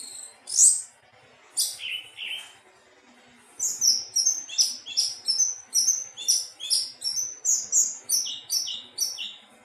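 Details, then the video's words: Melodious thrush song: a few loud high whistles, then a rapid run of short, bright, repeated notes at a steady quick pace. "Burung anis teleng suara merdu"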